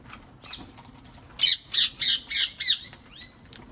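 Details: Wild parrots visiting a garden give five loud, harsh, grating squawks in quick succession, each rising then falling, followed by a thin upslurred note.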